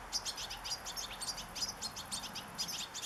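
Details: European goldfinch singing in nature: a fast, continuous twitter of high, tinkling chirps, several notes each second, with soft background hiss.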